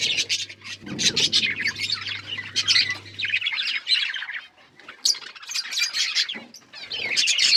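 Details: Budgerigars on October 31, 2023 chatter in a busy, high warble of rapid chirps and scratchy squeaks, several birds overlapping almost without pause, with a low hum early on.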